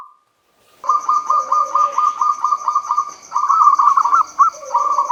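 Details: Local zebra dove giving the opening song used to stir silent doves: about ten even, clipped coos that roughen into a wavering warble, then more notes. A thin steady high tone runs behind.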